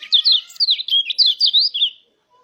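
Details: Rolling wild-style mountain white-eye song, played as a lure to stimulate other white-eyes to sing: a fast, continuous run of high, sweet slurred whistles and twitters lasting about two seconds, then silence.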